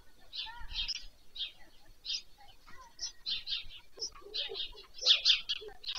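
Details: Evening feeding of White Stork chicks at a webcam nest in Pyriatynskyi National Nature Park, Ukraine, on 21 July 2024; busy high-pitched squealing bursts in quick sequences, with a few lower grating notes.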